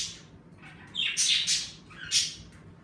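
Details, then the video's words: A pet budgerigar in a bird room lets out loud, harsh squawks in two bursts, high and broad-toned, against quiet background hum. "Birds room streaming #budgies #parakeets #セキセイインコ"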